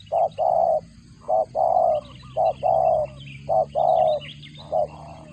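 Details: Spotted dove feeding its chicks, its call compared to a cricket; repeated pairs of a short note followed by a longer buzzy coo, five phrases about once a second, steady and mid-pitched.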